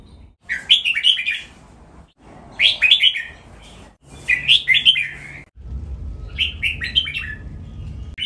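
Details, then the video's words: Caged red-whiskered bulbul singing for song training, in the styles called nap dok, mae bot and lak wai: four bright, warbled, chattering phrases, each about a second long, rising and falling through a high pitch, spaced roughly every two seconds, with a faint low hum. "นกกรงหัวจุก ร้องเล่นริก"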